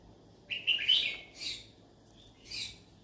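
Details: Yellow-sided conure calling for friends to talk to: a rising raspy chirp followed by two softer harsh notes about a second apart, in a quiet room.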